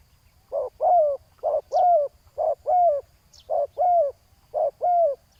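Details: Spotted dove used in ground decoying to attract a rival bird. Steady paired coos sound, each a short hoot followed by a louder drawn-out falling one. Occasional faint high chirps come from other birds.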